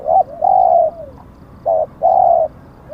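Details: Spotted dove kept as a decoy for luring wild doves in Thailand, marked with auspicious plumage patterns. Soft, low, hollow cooing, a short bent note then a longer steady coo, repeated twice, with a faint background rumble.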